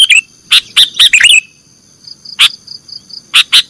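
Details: Training recording of a sooty-headed bulbul singing nggaruda style. A quick series of bright chirps opens, then quiet with a faint whistle and a few sharp clicks, all over a steady high hum.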